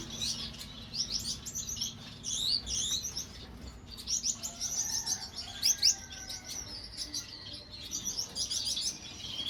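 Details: A blue Gouldian finch pair calling with quick bursts of high, thin chirps and short sweeping notes in clustered runs separated by brief pauses. A faint low background hum is present.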